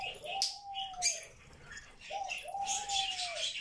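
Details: Pet grey parrot, described as talking non-stop all day, repeats a drawn-out level whistle twice about two seconds apart, with scattered high chirps and clicks in between.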